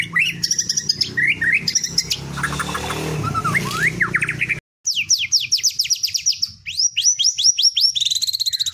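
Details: White-rumped shama in teler style with canary mimicry: varied whistled notes and sweeping slurs over a low rumbling background, a brief gap, then fast descending high trills repeated rapidly and bright whistled bursts.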